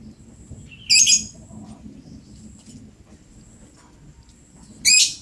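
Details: Lovebird in full voice: two harsh, shrill, stuttering notes about four seconds apart over a faint low hum.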